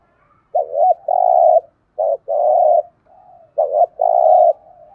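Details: Spotted dove thúc gù cooing, three phrases each made of a clipped double note and a long even coo, with soft faint notes trailing between phrases.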